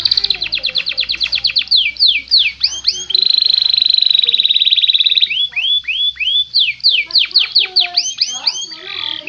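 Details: Clear canary master song: rapid rising whistled sweeps, a sustained buzzy rolling trill for about two seconds, then more repeated looping notes.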